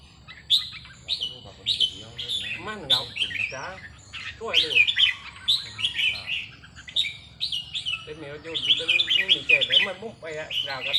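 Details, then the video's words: Red-whiskered bulbuls in a practice session on a free day, giving bright whistled phrases that rise and fall in quick bursts, overlapping with a man talking throughout. "ซ้อมนกกรงหัวจุก วันว่างๆ"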